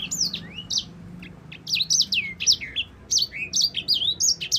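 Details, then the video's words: Yellow-fronted canary (sanger) in full, long rolling song, used as a tutor recording for other songbirds: a fast, unbroken run of varied high whistled notes, sharp upslurs, downslurs and chips, with a faint low hum beneath. "Kicau burung sanger gacor ngerol panjang cocok untuk pancingan dan masteran."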